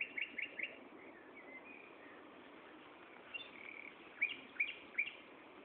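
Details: Common nightingale in song at Gaasperzoom, 16 May 2012, mid-afternoon: a trio of sharp repeated notes, a softer warbled stretch, then three loud clear downslurred whistles, over faint constant hiss.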